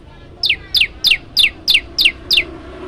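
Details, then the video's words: Prenjak lumut prinia singing a lively varied song meant for training other birds: seven bright, steeply descending chip notes repeated at an even pace of roughly three per second, clean and loud with little else audible. "prenjak lumut gacor variasi"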